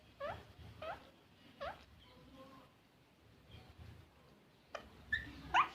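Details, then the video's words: Green parrot uttering three quick upward-sweeping squawks near the start, then a pause with soft tonal sounds, ending in a burst of sharper, higher screeches. "green parrot"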